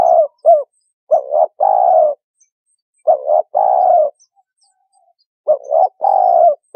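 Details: Spotted dove call used as a decoy sound for trapping: several bursts of short hoots leading into long, rich coos, each group separated by roughly a second of quiet, in a clean recording.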